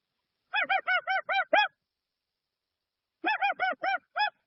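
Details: Dusky-legged guan calling in a clean recording, no added effects: a rapid run of six loud, nasal, honking notes, a pause of about a second and a half, then five more honks in the same quick rhythm, against a silent background.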